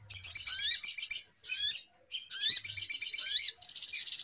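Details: Lure call of a brown-throated sunbird, noisy agitated style used for trapping: thick high chatter with rising slurred notes, two short silences, ending in evenly pulsed high notes.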